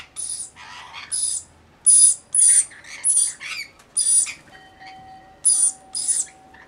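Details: Rainbow lorikeets in a flock of around 40 looking after one baby, rasping high-pitched screeches repeated about every half second, with a thin steady tone running through the second half.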